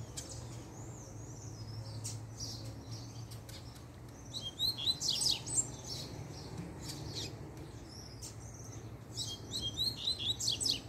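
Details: Coleiro singing a puxada as the female appears, part of handling a breeding pair: thin high notes at first, then two energetic bursts of rapid, twittering, sweeping phrases, steady low hum behind.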